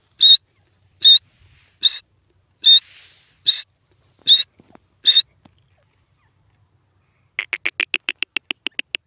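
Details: Sindhi teetar, a francolin: seven evenly spaced high, shrill whistles, then a pause and a fast run of about a dozen short, clipped pulses at the end.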